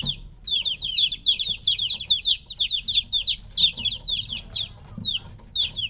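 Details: Noisy three-week-old chicks taken from their mother produce a dense stream of piercing, downslurred peeps from several birds at once, thinning slightly toward the end.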